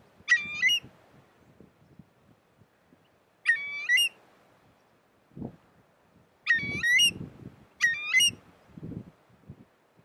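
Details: A Eurasian curlew (Numenius arquata arquata) at Spiggie, Shetland, U.K., in July 2013 gives four loud, rich, rising whistled calls at uneven intervals over ten seconds, with low rumbling thumps and wind-like noise underneath.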